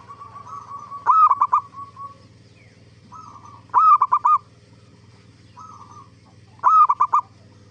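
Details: Zebra dove singing as a lure to draw replies from other zebra doves; three loud stuttering phrases, a rising coo then rapid clipped notes, with softer drawn-out coos between them and a constant low hum.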